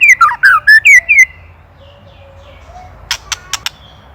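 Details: White-rumped shama from Indonesia, a master recording for training songbirds: five loud slurred whistled notes in quick succession, then quiet, with a few dry clicks near the end.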